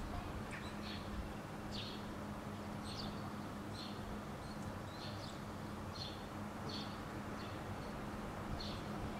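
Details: Two Eurasian jackdaws on a rooftop in Helsinki, Finland, in June 2013, watching their surroundings before taking off, give short, sharp 'chak' notes about one a second over a steady low rumble of traffic or wind.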